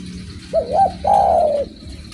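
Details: Derkuku (spotted dove) cooing strongly: a quick wavering double note and then a drawn-out, level, mellow low coo ending with a slight drop, against a low continuous hum.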